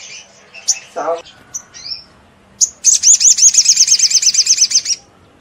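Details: Sogon, or crimson sunbird, in 'ngleper' style song, meant to excite other sunbirds into singing. A few scattered high chirps and a low note, then a fast run of about twenty high, sharply repeated trilled notes lasting two seconds.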